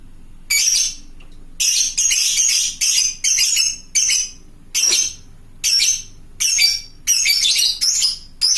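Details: Calling to other lovebirds, a fighter lovebird gives its long ngekek chatter: dense harsh high squawks strung into bursts of several notes, nearly continuous through the second half, with a quiet background.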